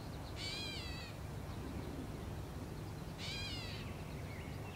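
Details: Two nasal, mewing, downslurred calls from a wild Gray Catbird in Canada, about three seconds apart, each rich and buzzy, against steady low background rumble.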